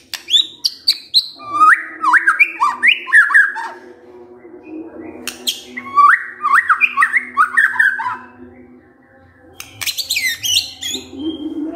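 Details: White-rumped shama (murai batu) giving kretekan, said to stir up emotion: bright whistled notes, then bursts of quick rising-and-falling chattering phrases, separated by short harsh broadband cracks, with a steady low hum underneath.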